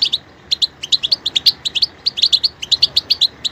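A European goldfinch sings a quick, bright twitter of high, tinkling notes in pairs and short bursts, several per second, with no other sounds.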